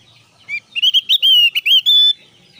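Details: Javan grey-throated white-eye song used as a lure to get kept birds of the same kind singing: a short burst of bright, slurred whistled notes, rising and falling in quick succession over about one and a half seconds.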